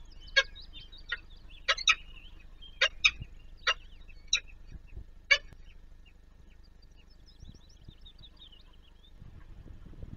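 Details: Male peregrine falcon feeding its chicks at the nest on the Palace of Culture and Science in Warsaw, Poland: about nine short, harsh, rasping calls over six seconds over thin, wavering high chirps, then a quiet low rumble.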